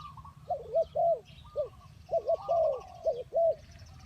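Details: Decoy spotted dove for luring wild doves, uttering a quick sequence of rounded coos, one isolated note, then a tight run of four. Soft high chirps from other birds sound behind.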